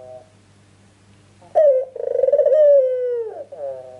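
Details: Ringneck dove cooing as a lure to draw answering birds: a sharp rising note, then a rolling, pulsed coo sliding slowly downward, ending in a short trailing phrase, over a steady low electrical hum.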